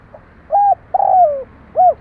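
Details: Spotted dove used as a lure to call wild doves: one full phrase of a short arched coo, a longer sliding coo that falls in pitch, then a final arched note over low background hiss.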